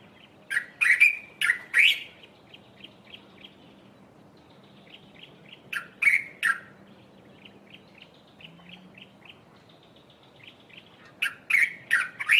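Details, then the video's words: A dark-capped bulbul calling from a treetop early in the morning gives three harsh, chattering bursts of liquid notes, with softer clipped notes repeating quickly between them and a low hum underneath. "Dark capped Bulbul call"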